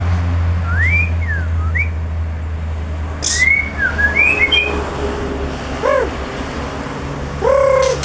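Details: Male white-rumped shama from Lamteuba singing scattered clear whistled phrases: rising and falling slurs, short upward sweeps and a few high thin notes, over a steady low hum with occasional brief clicks.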